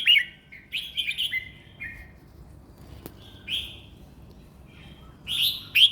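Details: Caged competition red-whiskered bulbul in easy, flowing song: short liquid whistled phrases in bursts with gaps between, one sharp click midway, and a constant low rumble underneath.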